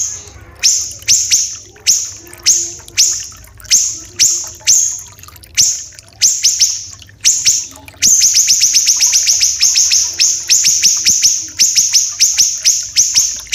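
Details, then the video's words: Common iora song for tutoring caged birds, mixed with trickling water. Evenly spaced shrill, rasping notes, each with an upswept start, speed up halfway through. They then become a fast, dense, continuous string of high buzzes. "MASTERAN SIRI-SIRI KECIL"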